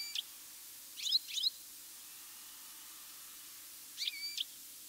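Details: European goldfinch calling in mid-August in good weather, one bird moving its whole body as it calls: short, bright twittering calls in three quick bursts, each a liquid tinkling flourish, over a soft steady background hiss.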